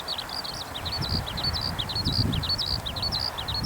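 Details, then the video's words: A Eurasian skylark, after finishing its song in the sky and landing in a farm field, keeps singing a fast, unbroken stream of high chirps, trills and slurred whistles over low wind rumble. "ヒバリの鳴き声～さえずり～Eurasian skylark"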